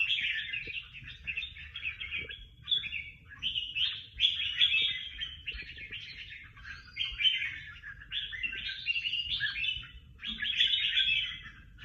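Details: Singing-contest bird with many awards: a sustained, vigorous outpouring of choppy warbles and trills in rapid repeated bursts, steady and bright, over a low background hum.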